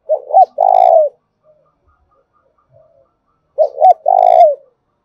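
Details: Lure call of a spotted dove in the "thổ đồng" voice, meant to provoke wild doves: two coo phrases about three seconds apart, each two quick hooted notes then a long, slightly falling coo, in silence.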